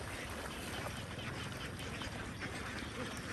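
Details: Dense chattering of a huge flock of young farm ducks, countless overlapping quacking calls forming a steady wall of sound with no pauses.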